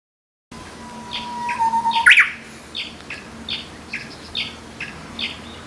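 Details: Korean bush warbler singing in April near bamboo thickets on a hill behind a house in a mountain village: a long, steady, low whistle followed by a loud, rapid descending flourish; another bird's short chirps repeat about every half second.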